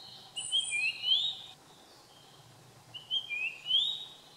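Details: Japanese grosbeak singing two short phrases of clear, fluty whistles, each a few quick rising notes, about three seconds apart over a soft background hiss; recorded 30 June 2015.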